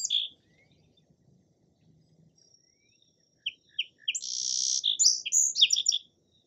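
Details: Song sparrow song with a few sharp high notes, a long buzzy held tone, then a quick varied trill of descending chips; a faint thin whistle runs beneath, with near silence before.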